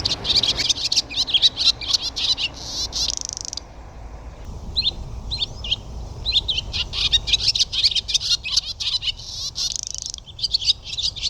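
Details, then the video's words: Barn Swallow singing a fast, continuous twitter of high liquid and clicking notes, broken by several short buzzy rolls; the phrases run on almost without pause. "Chant de l’Hirondelle rustique - Barn swallow bird call"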